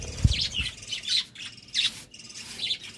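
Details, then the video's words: Budgerigars at love time give a run of short, squeaky chirps about every half second over faint rustling, with a low knock at the start. "Love time for budgies"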